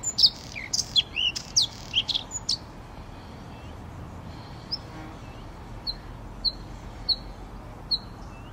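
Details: Red-spotted bluethroat opening with loud, varied sharp notes and downward-sweeping whistles, then pausing before a series of thin, high, evenly spaced single notes at intervals of about half a second.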